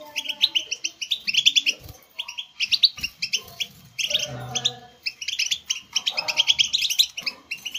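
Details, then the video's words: Goldfinch song for motivating caged goldfinches to sing: quick sparkling twitters and buzzy trills in rapid bursts, interrupted by short pauses, with faint low murmuring notes beneath. "STIMULATION SINGING for GOLDFINCHES"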